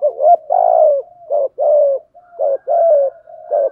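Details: Spotted dove cooing continuously to lure and excite wild doves: overlapping low two-part coos, short wavering notes and longer falling hums, following one another with hardly a pause.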